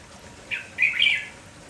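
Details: Red-whiskered bulbul from a village, lively in the morning and calling without pause: a brief rough note, then a drawn-out, scratchy two-part phrase against constant low hiss.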